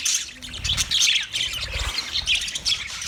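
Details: A group of budgies recorded on 29 February 2024 giving loud, dense high chirping and warbling chatter throughout, with low rumbling noise beneath.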